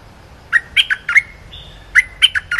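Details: Cream-vented bulbul training song for young birds, spaced chirpy notes slurring between low and high, one held whistle in the middle, then a repeat of the jaunty phrase.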